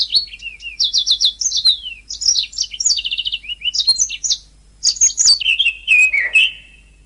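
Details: Canary singing on a training master track: a continuous high warble mixing rapid repeated trill notes, descending slurred whistles and lower drawn-out notes near the end, with one brief pause midway.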